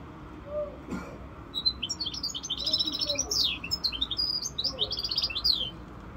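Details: A goldfinch mule, the hybrid at five months, sings a lively run of high chirps and downward-sweeping twitters after a brief knock, over a low background hum.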